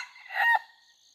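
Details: Short fragment of a red junglefowl crow from an F2 bird being trained, dated 5 September 2020: one harsh, rising-then-breaking note ending abruptly, with insects droning high in the background.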